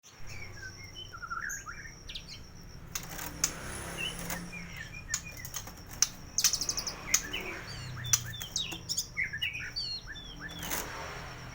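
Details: White-rumped shama at a bird kiosk in Koja, North Jakarta, singing a full 'isian' song rich in mimicked phrases, offered to coax silent birds into singing: varied high whistles and slurred notes mixed with sharp clicks and a steady high hiss.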